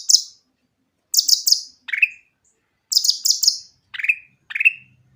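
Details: Grey-cheeked bulbul singing, used as a lure to get reluctant bulbuls to sing; clear, high chattering bursts of three notes alternate with lower downslurred whistles, in two phrases with pauses between.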